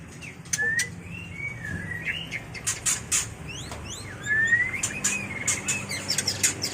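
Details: White-rumped shama mating call meant for training and luring birds: rising slurred whistles spaced through the clip, interrupted by dense sharp clicks and chips, over a low steady hum.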